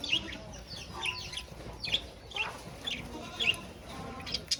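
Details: Budgerigars caged alongside a rabbit chatter steadily, a string of short, sharp chirps roughly every half second with soft warbling and rustle underneath.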